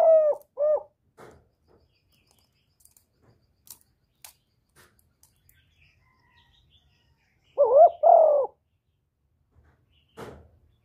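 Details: Spotted dove (cu gáy, cu đất) cooing in the 'thổ thúc' voice and calling coo style. Two short, hoarse two-part coos open the recording, and a louder double coo comes near eight seconds. Scattered clicks and taps fill the gaps between them.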